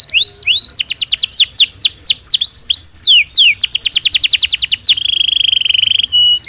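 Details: Belgian canary singing naturally, used to train other canaries: fast varied phrases of downward-sweeping whistled notes, a rapid trill of repeated notes, then a sustained buzzy high note ending in a short whistle.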